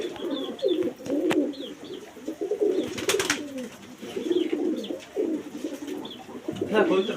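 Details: Kept native pigeons in a small room give bubbling, low coos in repeated phrases, with faint higher chirps from other birds and a brief clatter in the middle.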